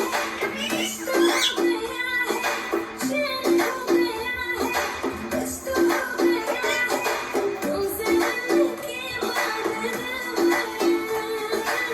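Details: Upbeat music with a sung vocal and shaker rhythm plays throughout, with no animal voice standing out.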